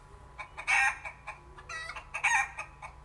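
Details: Rooster and hen on a farm: loud, harsh bursts of clucking and crowing come in several rough pulses, two strongest near the start and end, over a low steady hum.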